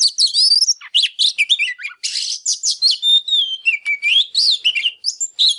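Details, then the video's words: Oriental magpie-robin singing while displaying: a rich, varied run of clear whistles, sweeping slurs and scratchy chattering notes, delivered in rapid, unbroken phrases. "Chòe Than CĂNG LỬA HÓT MÚA"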